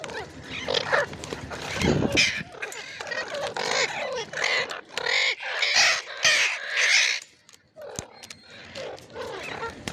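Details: Ringneck parrot calling: loud, harsh, broadband squawks repeated in bursts over ten seconds, some grating and rasping, with a low rumble near the second mark and brief quiet gaps between call groups.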